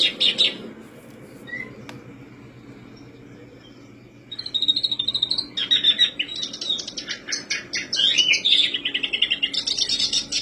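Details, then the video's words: Black-browed reed warbler song used as a lure to make birds sing quickly: after about four seconds of near silence, a dense, harsh, chattering warble of fast high notes runs on without pause to the end. "Pancingan kerbas alis hitam/sincan agar cepat bunyi"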